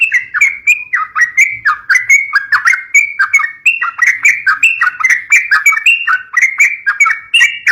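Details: A yellow-vented bulbul, used for luring young birds, delivers an unbroken stream of bubbling, warbled notes with slurred up-and-down inflections, repeated rapidly and evenly throughout.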